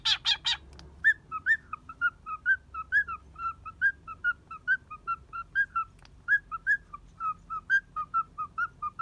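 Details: Cockatiel boarding at a bird hotel in Kobe, Japan, playfully riding on someone's hand and keeping its balance; harsh rasping bursts open, followed by a long, rapid, bouncy series of whistled chirps rising and falling, about two per second.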